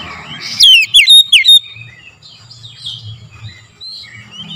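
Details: Short morning lure phrase from an oriental magpie-robin: four loud, slurred whistles in about one second, followed by soft, distant chirps from other birds and faint low background noise.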